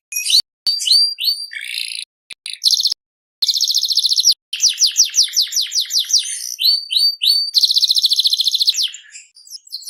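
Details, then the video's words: Canary singing a varied medley: mixed twitters, fast metallic trills, a series of sweeping notes and another loud rolling trill, with a few very brief breaks. "BURUNG KENARI SERI FI GACOR"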